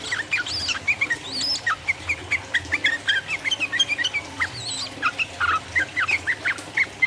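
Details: Rapid, provoking 'ropel uplik uplik' song of sooty-headed bulbul: continuous string of brief liquid, chirping notes with occasional higher whistled slurs, steady and busy throughout.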